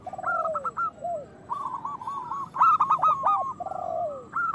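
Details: Loud local zebra doves singing as a lure to bring other doves into song and breeding condition. Low descending slurs alternate with quick strings of bright clipped coos, one emphatic burst in the middle.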